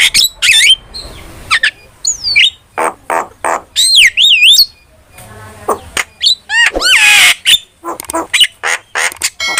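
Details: Starling sounds for luring and tutoring trained birds: a lively mix of looping, wavering whistles, rapid sharp clicks, harsh rasps and slurred notes, with brief pauses between the bursts.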